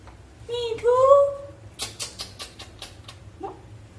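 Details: A pet parrot talks with its owner's mother: a short burst of speech-like, rising and falling vocal sounds, followed by some clicks and a faint human voice in a small room.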